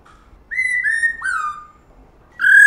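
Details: Female white-cheeked laughingthrush singing, played to stimulate caged males to sing: clear whistled phrases, a low note then long slightly falling whistles, a pause, and a loud final whistle.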